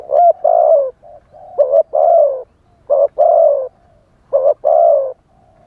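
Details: Spotted dove decoy bird singing a wild-style song to lure wild doves: low hollow coos in pairs, a short note then a longer, slightly falling one. The pairs repeat about every 1.3 seconds, with soft trailing hums between them.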